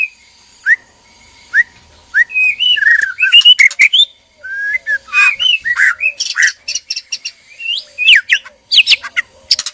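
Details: Mating arousal calls from a caged breeding pair of white-rumped shamas: three spaced upslurred whistles give way to a dense, varied stream of whistles, rattles and harsh notes.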